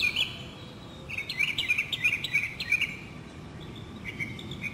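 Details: Northern mockingbird in spring song within a South Carolina city neighbourhood, 2008: quick run of bright, repeated high notes in a brisk series, then softer trailing phrases, with steady background hum and distant birds.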